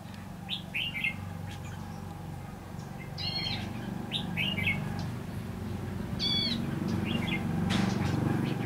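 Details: Red-whiskered bulbul at a trapping site on 22 February 2016, where birds are being lured toward a trap; clear, ringing whistled phrases with stacked tones repeat every second or two above a constant low hum.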